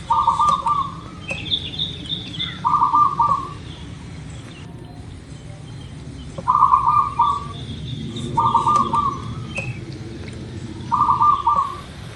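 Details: Local zebra dove singing as a lure meant to make other birds start singing fast: five bubbly, purring trilled coos at irregular intervals, with higher chirping birds faintly in the background and steady low noise.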